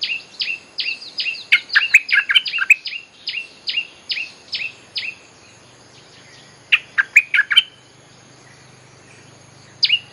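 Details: Bulbul song meant to attract wild birds: rapid falling whistled notes mixed with chirps, a pause, then a second chattering burst and a final note.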